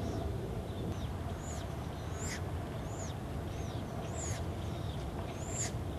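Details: Noisy Acorn Woodpecker family group in an urban nature area by the American River, with chicks nearly fledged: a series of sharp, arching high calls spaced about half a second to a second apart over a steady low rumble of traffic or aircraft.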